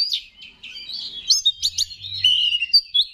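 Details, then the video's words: Oriental magpie-robin kept in Indonesia, singing to rouse other males: a busy mix of whistled slurs and sharp high notes, closing with clear sustained whistles; a faint low hum in the background. "Pancingan Menaikan Emosi K4CER"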